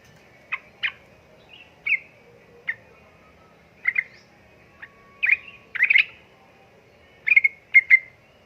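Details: Sooty-headed bulbul female calling a male while in breeding mood. Sharp, scattered chirps come singly and in quick pairs with irregular gaps, ending in a tight cluster of three notes. The background is quiet.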